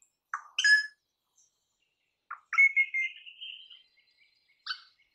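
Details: Crimson rosella giving a short chuckling note, then a long sustained whistle that rises slowly in pitch, ending with a brief sharp note; otherwise quiet.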